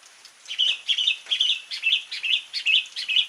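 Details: Sooty-headed bulbul in an isian recording, singing a brisk run of bright chirpy notes that fall and rise, about two or three per second, each with a sharp upper twist, over a quiet background.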